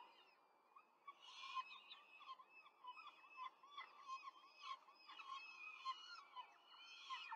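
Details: During a quick feeding of four chicks by the female at a Rome peregrine falcon nest, 5 May 2023: a brief quiet start, then a long stretch of loud, overlapping squealing and chattering calls.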